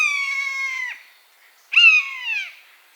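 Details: Buzzard calling in its natural habitat: two drawn-out, down-slurred mewing cries with rich harmonics. The first lasts almost a second and the second, louder one follows after a short pause. The background is quiet.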